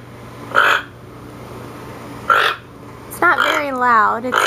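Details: Alert croaking of a captive toco toucan warning its flock of danger: two separate rough, burry croaks about two seconds apart, followed by a person talking over a final croak indoors.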